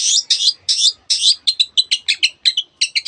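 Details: Long-tailed shrike song with canary-like mimicry: several rich, harsh warbled phrases, then quicker crisp doubled chirps repeated at a steady pace.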